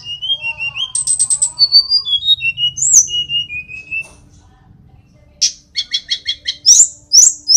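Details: Mountain sulingan (tledekan), Indonesian flycatcher, singing: a sequence of soft gliding whistles and a brief high trill, a short quiet pause, then rapid repeated harsh notes and loud descending squeaks.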